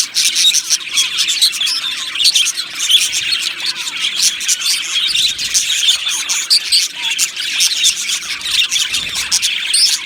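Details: Aviary of Australian budgerigars singing, dense high-pitched twittering and chirping from many birds, evenly loud and unbroken.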